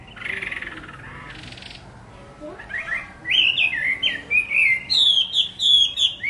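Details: Chinese hwamei song, opening with a quiet rough passage, then a series of loud clear whistled notes that step upward, each repeated about once a second in lively phrases.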